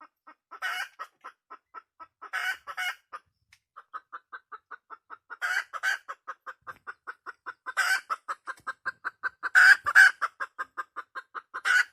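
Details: Hen of the wild red junglefowl cackling loudly: quick rhythmic clucks in long strings, with harsh screechy bursts at intervals, a short lull early on, then denser, louder squawks toward the end.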